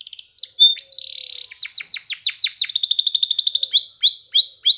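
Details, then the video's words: Belgian canary singing as a tutor for young canaries: high whistled notes, then a rapid series of sharp descending sweeps, a fast chattering roll and short repeated upslurred chips. "Belgian Canary Training for Early Childhood Canaries so that they sing diligently"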